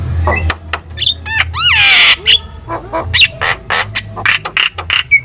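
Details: Javan myna masteran song, lively and aimed at prompting other birds to answer. Rising looped whistles lead into a loud, rasping broadband squawk, then chattering clicks and short harsh notes, over a faint low hum.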